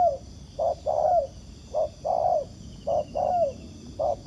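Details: A wild spotted dove at a decoy trap gives a series of paired coos. A brief note leads into a longer, gently falling coo, with a persistent high whine behind.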